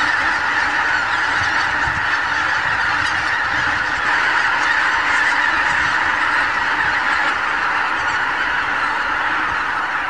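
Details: Wild geese by the thousands, meeting in the morning on meadows and fields of the Lower Rhine, Germany, produce a steady wall of overlapping honking and cackling with no pauses, recorded on a camcorder.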